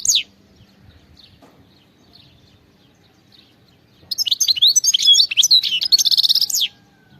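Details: European goldfinch giving a khalawi-style song: a single high note, a long quiet stretch with faint distant chirps, then a dense two-and-a-half-second run of sparkling twitters, trills and a rising buzzy slur.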